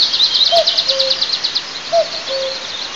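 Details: Common cuckoo calling near an eagle nest while the eagle sleeps, at Altynychi in south-east Tatarstan on 9 May 2024: two soft falling two-note cu-coo calls about a second and a half apart, over constant high chirping.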